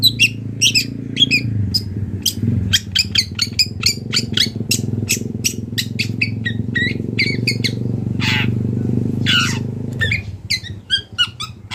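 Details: Wild long-tailed shrike pours out a fast series of sharp chirps and buzzy mimicked notes over a loud, continuous low engine-like rumble that fades near the end.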